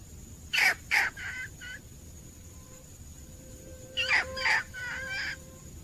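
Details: Wild red junglefowl hen calling to attract a male, 17/2/2021: two quieter groups of harsh, rasping notes, each with two loud syllables and softer trailing ones, separated by about three seconds of quiet.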